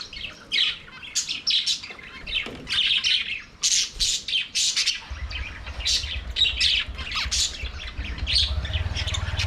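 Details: Singing budgies in their aviary give sharp chirps and buzzy warbles in rapid succession, joined midway by a steady low hum.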